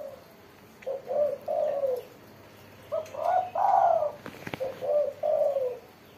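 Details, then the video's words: Spotted dove, described as singing with a crisp 'mersik' voice, gives three hollow, mellow coo phrases, each of short notes leading into a longer falling coo. A brief click sounds between the phrases. "burung tekukur derkuku gacor suara mersik"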